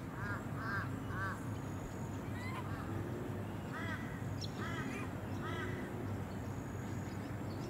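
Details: Australasian swamphen on the Sunshine Coast, Queensland, in May 2021, giving short nasal calls in small clusters, about eight in all. A steady low rumble runs underneath, with faint high chirps of other birds.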